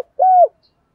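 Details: Spotted dove decoy calling to provoke wild doves, thổ voice style: one smooth, steady coo that slurs downward at its close, alone in silence.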